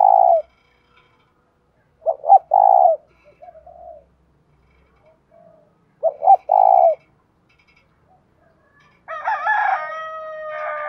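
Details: Decoy spotted dove calling to lure wild males, a call with one ending note. Deep hooted coo phrases, each a quick stutter then a longer coo, about four seconds apart, with a harsher harmonic burst at the end.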